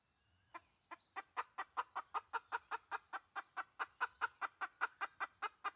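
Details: Red junglefowl hen, lure call: a long, even series of about twenty-five clucks, roughly two and a half per second, over faint low background noise.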